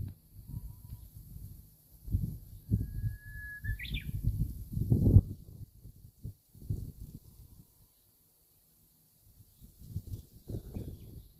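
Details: Japanese bush warbler singing on a March morning beside Ojika Airport among trumpet daffodils: one long level whistle then a quick rising, twisting flourish, heard once over heavy low wind rumble and handling noise.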